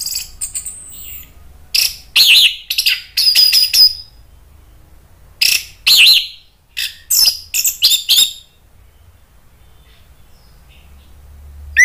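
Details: Orange-headed thrush lure recording meant to rouse a rival into loud answering song. Bursts of harsh, scratchy, chattering notes come in irregular clusters over about eight seconds, then a long silence.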